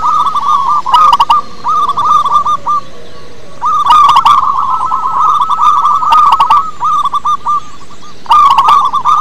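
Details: Zebra dove of local wild stock, its song used as a lure so caged doves sing eagerly: rolling, rapid cooing trills in several phrases, each opening with a loud, harsh-edged burst, some phrases overlapping.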